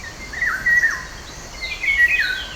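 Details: Eurasian Golden Oriole, a migrant from Africa frequenting the canopy of old deciduous trees along the Gardon de Saint-Jean river, France, singing: a short run of liquid, fluting phrases dipping and rising in pitch over soft outdoor hiss.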